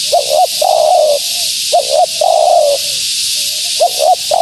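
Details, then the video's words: Female spotted dove's lure call for wild doves: a double clipped note, then a long level-to-falling coo, repeated three times with a soft trailing coo between. High hiss in the background. "Suara Burung Tekukur Betina Gacor‼️Tekukur Liar Pasti Tak Tahan Mendengar Suara Ini"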